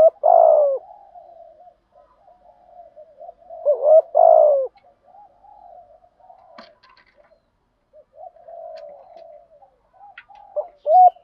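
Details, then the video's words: Spotted dove giving a thổ-style lure call meant to make wild doves coo fast. Loud, low, throaty coo bursts open the clip, recur near four seconds and again at the end, with soft murmuring coos between them in a quiet setting. "thuc gu giong thổ/ tiếng chim cu gáy kích bổi nhanh gáy nhất"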